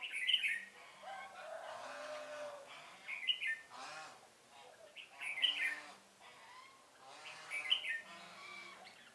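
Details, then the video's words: Lure red-whiskered bulbul singing during trapping, 1 November 2017: loud, sharp whistled phrases repeated roughly every two seconds, over lower buzzy harmonic sounds in the background. "Bẫy chào mào Sô lô với mồi không kém mỏ"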